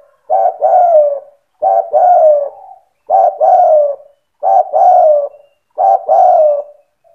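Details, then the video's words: Spotted dove in full lively song used to stir other doves into answering; five regular phrases, each two quick coos followed by a drawn-out descending coo, roughly every one and a half seconds. "Suara burung tekukur gacor cetretan bikin deruk tekukur derkuku balam lain emosi ikut bunyi"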